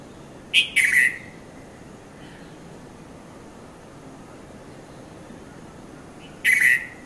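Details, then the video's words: Morning red-vented bulbul, called Konda Kurulla locally, Mount Lavinia, Sri Lanka, 5:30–5:40 a.m., Nikon Coolpix P510: a paired burst of bubbly notes, about six seconds of quiet, then another similar burst. "Red-vented Bulbul Bird Voice | Sounds of Bulbul"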